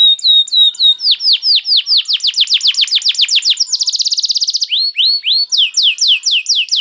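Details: Singing canary, used as bait to make other canaries start singing: rapid downward-swept whistled notes in a steady series, a fast buzzy trill, then more looping sweeps. The song is loud and continuous.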